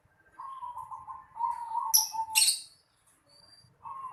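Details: Zebra dove cooing in a house yard: one long, stuttering, low rolling phrase, then a burst of loud high chirps from a smaller bird, and another coo starting at the end.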